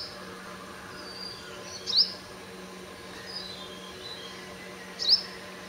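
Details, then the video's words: Sunbird singing at dawn, 5:30 AM: two brief, very high rising notes about three seconds apart over a steady low hum and faint background noise. "தேன்சிட்டின் சங்கீதம் | The Voice of Sunbird"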